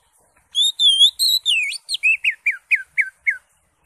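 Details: Greater green leafbird in lively song with raised crest, full of fillers, suited as a master recording for training songbirds: long wavering whistles followed by a rapid series of about eight short, sharply falling whistled notes.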